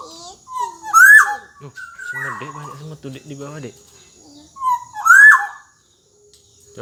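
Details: Black-naped oriole (kepodang emas) singing in lively 'gacor dor jonbreak' style, meant as a tutor for young orioles: two loud fluty whistles with harsh buzzy sweeps about four seconds apart, with lower nasal notes and a child's voice between.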